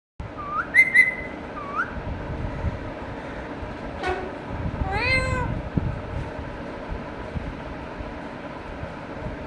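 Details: Pet Indian ringneck parakeet talking to itself: a few short whistled upslurred notes at the start, then a harsh rising nasal phrase in the middle, over a steady low household hum.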